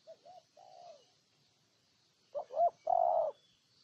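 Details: Ninh Thuận spotted dove from Vietnam giving soft, low introductory coos, then after a pause a loud phrase of two quick rising notes ending in a long, husky, sustained coo.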